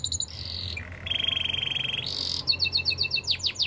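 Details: Canary song: a short high trill, then a low, buzzy, rapid roll lasting over a second, followed by a string of sharp downward-sweeping chirps.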